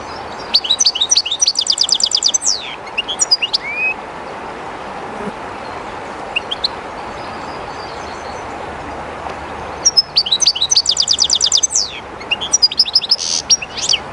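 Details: A shy, caged European goldfinch by the Jerte River, in an unfamiliar place, gives a bright, jangling twitter with a dense buzzy trill. A long gap of scattered single chirps follows before a second similar phrase, all over continuous river noise.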